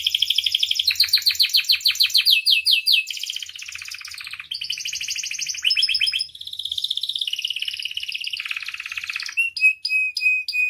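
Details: Loud, varied canary song used as a training lure for other canaries: long rapid rolling trills and buzzy rattles change pitch every few seconds, ending in clipped high notes and a thin sustained whistle.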